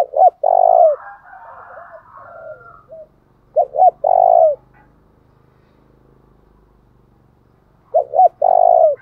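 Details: Spotted dove calling to provoke wild doves to respond: a loud three-part phrase, two brief curled notes and a drawn-out coo, repeated about every four seconds, with faint answering coos between.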